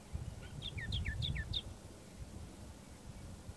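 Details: Layard's warbler singing from the top of a bush near Hanover: a quick, bright phrase of about six sweet, down-slurred whistles alternating high and lower, over a steady low rumble of wind or distant traffic.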